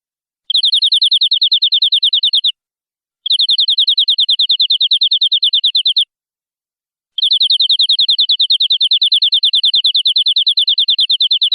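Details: Canary singing in a tutor recording for young canaries: three bursts of a very fast, steady, bright trill, separated by short silences, with the last burst running on longest.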